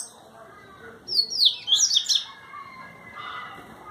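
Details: Double-collared seedeater, known in Brazil as papa-capim, calling: a brief burst of high, squeaky, tumbling twitters over about one second, with a faint hum and soft background noise.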